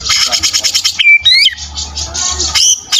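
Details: Kept white-rumped shama (murai batu) giving fighter-style song: a rapid buzzy rattle, a flat clear whistle, rising swept notes and another buzzy trill ending in a sharp upslurred note, with low background hum.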